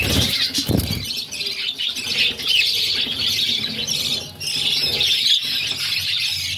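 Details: Pet budgerigar mother feeding her six chicks, which beg with a steady, high, scratchy chattering; a soft low thump and fluttering near the start.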